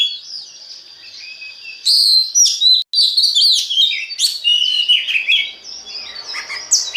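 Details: Song of an Oriental magpie-robin meant to spur other magpie-robins into song: a soft thin whistle, then a loud rapid torrent of sweet whistled notes, sharp chips and quick slurs, about four elements a second.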